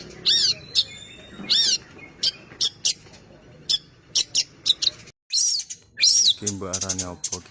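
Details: Long-tailed shrike singing energetically with a rich repertoire of fill-in phrases: sharp high chips and arched whistles with gaps between them, then a short silence and a low, buzzy, rasping run near the end.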